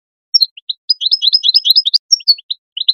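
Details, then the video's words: European goldfinch calling, used to stimulate other goldfinches to sing; quick liquid twittering notes and short descending slurred whistles in a busy, tumbling run, with brief pauses between bursts, no other sounds. "chant d'appel chardonneret l أروع بتبتة لتحفيز الحسون"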